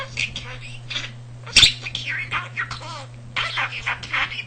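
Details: Talking pet budgie indoors with a vocabulary near 300 words and phrases, picked up from household conversation, and a mimic of purring; chirpy, wavering chatter with one sharp click mid-way, continuing in quick babbling bursts over faint hum.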